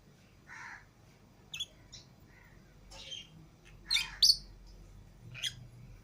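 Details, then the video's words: Lovebirds, green Fischer's and lutino pairs let out of the cage with others, make scattered sharp shrill squeaks and short rasping chirps, loudest near the end, amid quiet background. "Love Birds Singing And Chirping Sounds"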